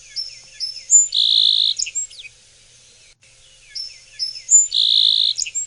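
Song Sparrow song given twice: a few sharp high introductory notes, then a loud buzzy trill and some quick closing chips, with a short pause between.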